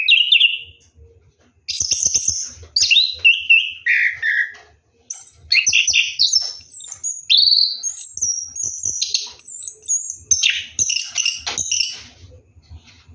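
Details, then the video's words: Orange-headed thrush during a night bath, delivering ngeroll rolling song: a long, varied stream of sweet whistled phrases, rapid chirps and falling slurs with brief pauses, and faint low knocks underneath. "KICAU ANIS KEMBANG NGEROLL MANDI MALAM"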